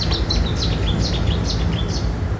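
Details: Cetti's warbler about 20 m away at London Wetland Centre, Barnes, gives a loud, explosive song: a first chip, a small gap, then a run of sharp, high notes about twice a second. Low rumble of wind or traffic.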